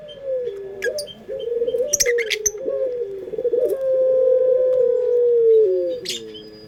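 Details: Loud puter pelung dove lure song: a string of throaty, stepped rolling coos that runs into one long, smooth, sustained note, slowly falling at its end. Thin bird chirps sound faintly now and then.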